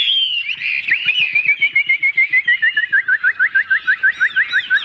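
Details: Caged Chinese hwamei with a broad fig-leaf tail, singing; after a brief warbled opening it repeats a short, sharp whistled note rapidly and steadily, around three times a second, dropping slightly in pitch.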